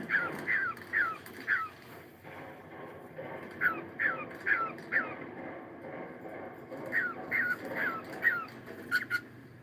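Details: Cockatiel singing in the morning: soft sweeping whistled notes in short groups of about four, pausing between groups, over a hissy, rumbling indoor background.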